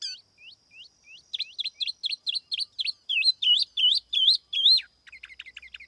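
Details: Song of a tiểu mi laughingthrush kept as a lure bird: slurred downward whistles, a brisk run of sharp notes, rich looping phrases, and a soft rapid twitter at the end.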